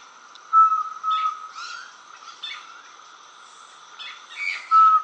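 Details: Least pygmy owl, Brazil's smallest owl, sings short, clear, mid-pitched toots a few seconds apart over a steady insect drone and chirps from other small birds.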